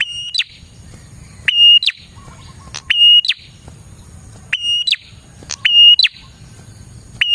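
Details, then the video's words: Prinia singing, offered as a lure for catching prinias. Bright level whistles, each clipped by a high falling flick, come in pairs and singly with short gaps. A low background murmur runs underneath. "suara burung prenjak gacor ini 💯% Cocok Buat pikat dan pancingan prenjak bahan"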